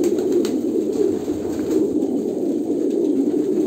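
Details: Low, rolling coos from a group of Kolkata pigeons blend into an unbroken warbling drone, with a few faint clicks.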